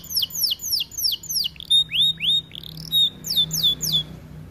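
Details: Song of a white AF canary in full voice: sharp descending whistled notes repeated several times a second, then clear level whistles and rising slurs, with a steady low hum behind.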